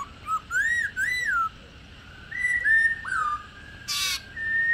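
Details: Female Black-throated laughingthrush, old and wild-caught, calling 'ro': arched and dipping clear whistles in short phrases with gaps, then a brief noisy burst and a final rising whistle.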